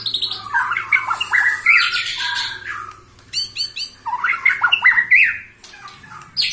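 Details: A white-rumped shama aged 21 years sings energetic bursts of slurred whistles and chips. A fast rattling run of repeated notes comes midway, then a short silence before the song resumes.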